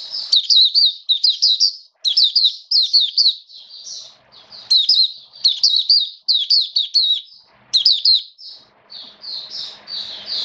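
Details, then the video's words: Oriental white-eye in a cage, 29 September 2022, rainy season weather, singing steadily. Repeated bursts of high, sweet, quickly slurred twitters, each burst about a second long with brief gaps between. "Mata Puteh Buka Sing Raja"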